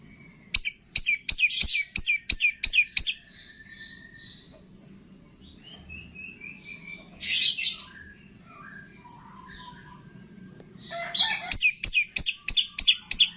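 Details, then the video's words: Long-tailed shrike training song with imitations of cililin, greja tarung, lovebird, tengkek and kapas tembak. Series of sharp ticking clicks frame quieter descending whistles and a harsh buzz in the middle, with a faint low hum behind. "MASTERAN CENDET ISIAN CILILIN, GREJA TARUNG, LOVE BIRD, TENGKEK, KAPAS TEMBAK"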